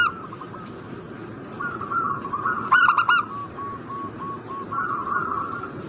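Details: Zebra dove call meant to prompt a breeding bird to respond: one loud clipped rolling coo of three notes in the middle, surrounded by quieter, drawn-out cooing from other doves and steady hiss.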